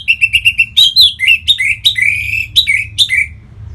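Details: Captive Orange-headed thrush from northern Bali singing to encourage other birds: four quick even chirps, then a varied stream of loud whistled, slurred and dropping phrases, rich and warbling, over a low background hum.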